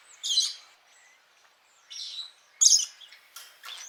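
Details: Parrot calls: short harsh, noisy squawks in separate bursts roughly every second, with a few faint thin notes between them and a quiet background.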